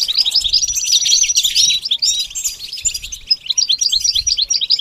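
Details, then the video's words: Rapid, chattering goldfinch song, about two notes a second in loose rhythm, mixing buzzy trills, sweet chirps and a drawn-out high whistle, with a softer, choppier run of twitters toward the end. "The basics of training the goldfinch to sing"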